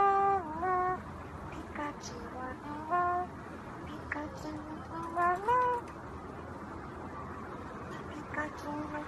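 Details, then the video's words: Pet Eclectus parrot, a species native to New Guinea, the Solomon Islands, the Maluku Islands and northeastern Australia, sings and talks: clear whistled notes sliding up and down in short phrases, separated by pauses, over a faint hum. "Electus Singing And Talking"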